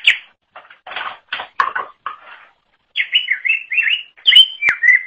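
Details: Greater green leafbird (cucak ijo), recorded as a tutor for songbirds: harsh, broadband chattering notes at first, then a run of bright whistled phrases that rise and fall, with a sharp click near the end.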